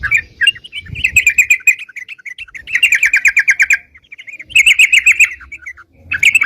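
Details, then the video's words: Lively gacor singing of a sooty-headed bulbul, used as a lure for bird catching: bursts of rapid, evenly repeated chirps in runs of about a second, separated by brief pauses. "suara crucukan gacor bisa buat pikat"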